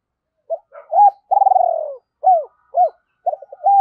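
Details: Cooing decoy spotted dove calling wild birds in: a few soft lead-in notes, then a drawn-out vibrating coo falling in pitch, two clear arched coos and a closing run of short notes.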